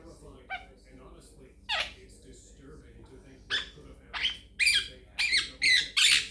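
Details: Chatting pet Quaker parrot, known to say peek a boo and give me a kiss; after quiet moments, harsh bright bursts of chatter come faster and louder toward the end, with faint room noise.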